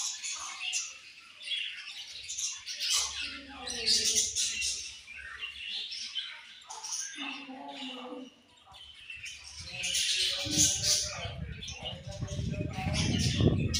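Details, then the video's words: Budgerigars chirping in a group, a dense stream of bright, scratchy warbles and chatter with overlapping voices, a low hum and some handling noise in the background. "Very Beautiful Budgies Chirping Sounds"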